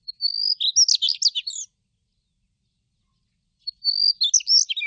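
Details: Daurian redstart song, recorded in 2020: two short, high phrases about two seconds apart, each a thin rising whistle followed by a quick scratchy jumble of notes.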